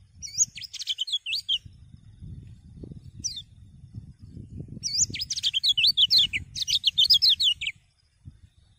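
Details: Common iora singing to encourage other birds to sing: two bursts of fast, high looping whistled notes separated by a lone sharp note, over steady low rumbling background noise.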